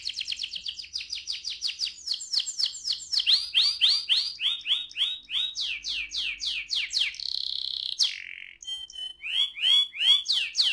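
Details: Canary singing in the rolling ngerol style, used to stimulate other canaries to sing: fast, shifting series of high repeated notes, then swooping downward slurs repeated in rapid runs, with a brief buzzy steady note near the end.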